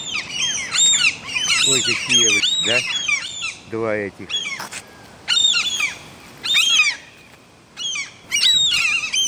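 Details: Gulls nesting on a five-storey apartment block's exhaust pipe with chicks roaming the roof; harsh, arched squealing calls in dense overlapping bursts, interrupted by a woman talking nearby.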